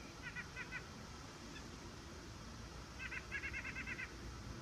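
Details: White-breasted nuthatch giving two quick runs of nasal, evenly spaced notes, a short burst near the start and a longer, louder run after a pause, over a steady low background hum.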